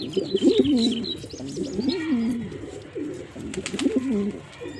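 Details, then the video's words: Male pigeon cooing steadily in low, warbling, rolling phrases that rise and fall, run back to back with hardly a pause, with faint higher chirps from small birds behind. "Pigeon Sound Effect"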